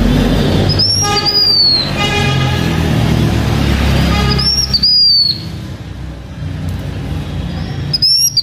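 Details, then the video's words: Blue-winged minla giving its decoy song: thin, high whistled phrases with a downslurred ending, repeated about every four seconds over steady low rumbling background noise. "Khướu lùn cánh xanh hót mồi"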